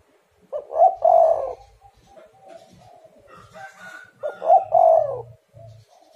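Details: Spotted dove call played to lure other doves into calling, two strong coo phrases about 3.5 seconds apart, each short notes leading into a rolling coo, with soft coos and faint chirps between.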